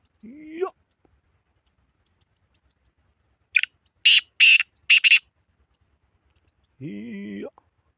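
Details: Harsh, rasping series of four buzzy bursts from a black francolin, framed by a rising slurred sound at the start and a drawn-out droning tone near the end.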